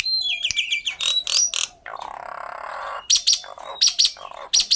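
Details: Common myna calling with falling whistled notes and squawky bursts, then a sustained harsh rasping noise, followed by a fast string of loud, high, scratchy chirps repeated in short clusters.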